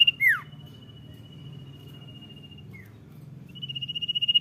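Common Iora singing: a sharp downward slur, then a long level high whistle held for two seconds, ending in a fast stuttering run of notes over a low hum.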